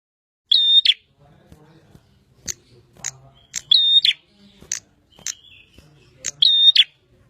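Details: Bar-winged prinia, called prenjak, singing actively: loud, strident, harmonic double-noted phrases repeated a few times, interspersed with sharp high ticking clicks and faint low background hum.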